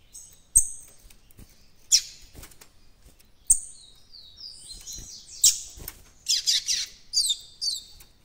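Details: Captive young White-throated Seedeater beginning its encarte song, with scattered sharp clicks and short high notes giving way to a quick series of descending whistled slurs and chattering phrases.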